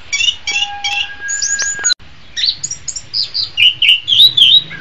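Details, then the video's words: Orange-headed thrush (anis kembang) in a training song: chirped phrases with a steady thin whistle at first, a short break, then descending and rising warbled whistles. Faint hum in the background. "Masteran Terbaik Anis Kembang"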